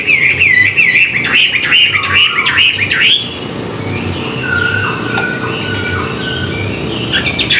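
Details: Chinese hwamei morning training song: quick chains of repeated whistled notes for about three seconds, then quieter, drawn-out lower whistles and scattered high notes.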